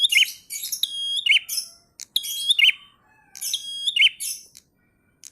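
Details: Prinia, actively singing in the ngalun style: shrill whistled notes ending in quick buzzy twists, given in bursts roughly every second, with a softer low note once, then silence at the end.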